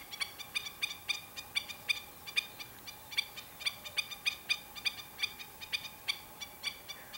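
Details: Black-winged stilts, several birds, giving sharp, nasal, yapping calls in a steady irregular series, roughly three per second, over constant broadband background noise.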